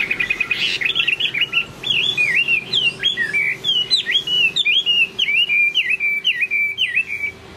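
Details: Late-afternoon song of a Chinese hwamei, a clear series of bright whistled notes, each dipping then rising, delivered rapidly and evenly over a faint constant hum.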